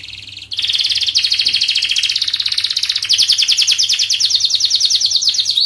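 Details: Canary in long, speedy 'gacor' song for training young birds, holding a sustained high rolling trill that quickens into a rapid, pulsing run of notes for over five seconds.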